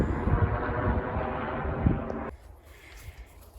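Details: Heavy rumbling engine or aircraft noise cuts off abruptly partway, leaving faint quiet background with no animal calls.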